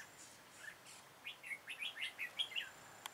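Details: Red-whiskered bulbul singing during decoy trapping on 13 October 2018, in a full-ending song style. A couple of soft notes lead into a rapid string of about eight lively whistled syllables, followed by a sharp click.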